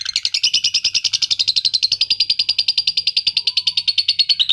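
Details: Adult lovebird song used to stimulate other lovebirds: a fast, dense chatter of sharp chirps, about three per second, in a steady rolling stream with a slight rise in pitch near the start.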